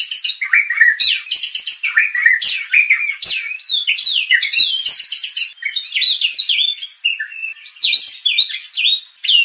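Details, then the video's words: White-rumped shama song played as a lure to rouse contest birds into emotional full song; a dense, continuous flow of varied whistles, rising and falling slurs and quick trills without pauses. "MURAI BATU BIKIN RAME | pancingan murai batu agar emosi bongkar isian"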